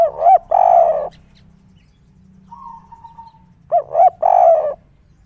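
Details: Spotted dove calling excitedly atop a tiled roof, its kuk 3 voice described as sweet and rare. Two phrases of deep, rounded coos, quick paired notes then one long throaty coo, with a soft thin whistle between them.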